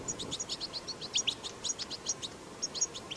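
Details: Wild European goldfinch 'batbata' song, recorded in the wild to encourage goldfinches to sing; clear, evenly spaced high chirps and short twitters, slowing briefly before resuming.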